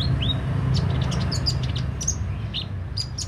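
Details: Kolibri ninja sunbird in vigorous song: an upswept whistled note, then quick high chirps and short slurs tumbling irregularly, with a strong low rumble underneath.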